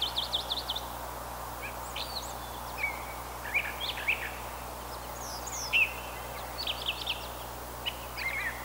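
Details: Brown thrasher delivering a run of varied chirps and short slurred notes, some phrases doubled, against a noticeable hiss of background noise.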